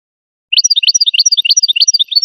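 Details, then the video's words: Goldfinch singing after half a second of silence: quick, bright, alternating high chirps and tinkling notes in a fast steady rhythm. "Golden-feathered Goldfinch singing show"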